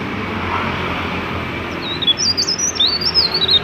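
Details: Mountain leaf warbler singing to prompt others of its kind to sing: a quick run of high, twisting, squeaky notes in the second half, over a constant low hum.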